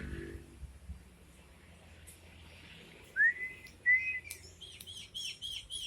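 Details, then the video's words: Starling in vigorous full song: quiet at first, then two loud, clear whistled notes near 3 and 4 seconds, each sliding upward, followed by a run of high, buzzy, repeated chattering notes toward the end. "Burung jalak gacor"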